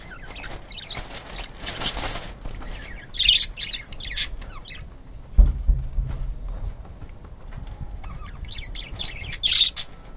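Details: Budgerigars chirping while playing give bright, scratchy chirps in short bursts over a rustling, fluttering background.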